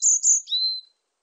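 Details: Single short phrase from a varied tit: two very high thin notes sliding into a sustained lower whistle, clean and isolated.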